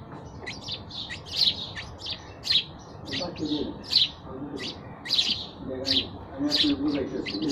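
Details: Lively sparrow chirping, bright clipped chirps in quick uneven bursts, sometimes doubled, loud and close over a soft low background.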